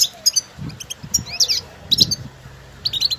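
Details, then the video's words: European goldfinches in the wild calling to one another with stimulating twitters, used to get a goldfinch singing: quick high tinkling chirps and short slurred notes in scattered bursts over low rustling noise. "افضل بتبتة لتحفيز طائر الحسون"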